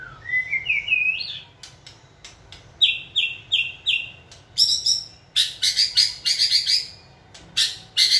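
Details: Trained caged white-rumped shama singing when stimulated; a rising slurred whistle, then a series of four clear high whistled notes, followed by rapid bright trilled phrases and sharp ticks with short silences between.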